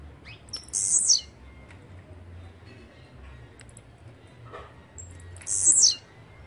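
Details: Blue-black grassquit, locally chirrio, pirra, tiziu or volantina, sings a short, shrill, buzzy phrase that drops in pitch, repeated once about four and a half seconds later, with faint clicks and a low hum between.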